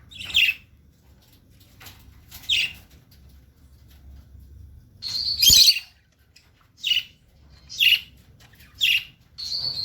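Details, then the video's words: Lutino lovebirds singing: sharp, high chirps in short bursts, roughly one each second or so, with a louder squawk midway and faint low background hum. "singing love birds"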